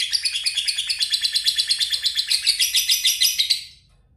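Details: Lovebird singing: a long, fast string of rattling, repeated chirps, roughly seven per second, sustained for over three seconds and then stopping abruptly.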